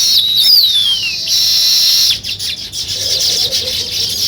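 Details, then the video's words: Nest-building weaver birds giving high twittering chirps, with a clear descending whistle early on, then a steady busy chorus of small birds. "Natural Sparrow Chirping Sounds | Weaver Birds Building Nest"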